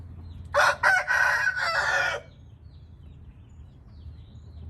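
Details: Indian red junglefowl giving a short, harsh crow: two clipped opening notes, then a strained, drawn-out phrase that cuts off abruptly after about a second and a half, leaving low rumbling background.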